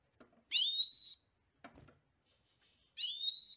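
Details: European goldfinch singing: two drawn-out, nasal, rising whistled notes with rich overtones, separated by a pause, with a faint soft rustle between them.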